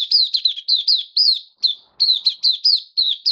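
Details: White-eye kept in a cage, treated with dewormer and health supplements, delivering a fast, sweet, high-pitched warble of twisting slurred notes in tight bursts with a short pause midway.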